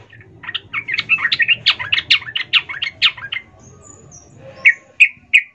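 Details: A sooty-headed bulbul female calls the male in a fast, emotional chatter of about a dozen rough notes, followed by three clear, separate sharp chirps.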